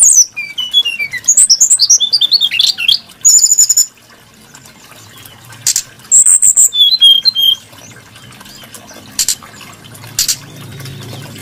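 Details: Brown-chested jungle flycatcher, a bird prized for its varied, melodious voice, sings fast cascades of sliding whistles and trills. Bursts come in several loud runs separated by pauses, over a faint low hum and trickling water.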